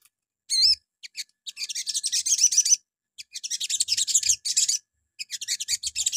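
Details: Crimson Sunbird (sogon) morning lure song played to provoke other birds to answer: a loud rising-falling whistled sweep, then long bursts of rapid, thin, high twittering notes with short pauses.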